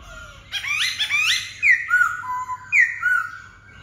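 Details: Black-throated laughingthrush pouring out a burst of rising, warbled whistles that settle into several long, clear descending slurs, with a faint low hum in the background.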